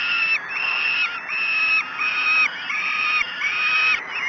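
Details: Begging cries of falcon chicks during breakfast at Great Spirit Bluff on the morning of 5 June 2016: long, rasping, flat-pitched screams following one another roughly every half second to second.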